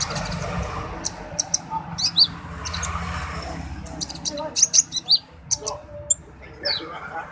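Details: Orange-headed thrush giving dacok song: clipped high chirps and short whistles in uneven clusters, over low murmuring voices in the background.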